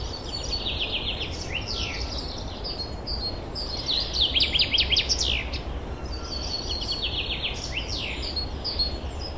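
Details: Forest birds singing in spring 2023: overlapping bright, high twittering and rapid repeated notes from several birds, rising in intensity midway, over a steady low rumbling background.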